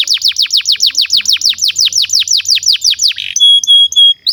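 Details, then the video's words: Rapid rhythmic canary trill of repeated downswept notes, then a buzzy note and clear steady whistles, a master song for teaching young canaries. "SUARA BURUNG Kenari GACOR PANJANG INI Cocok untuk Masteran KENARI PAUD dan Kenari Macet BUNYI"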